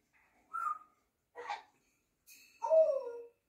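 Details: Grey parrot, a pet bird, making three separate calls: a short whistled note, a brief harsh burst, then a longer wavering whistle that slides downward, with silence between them.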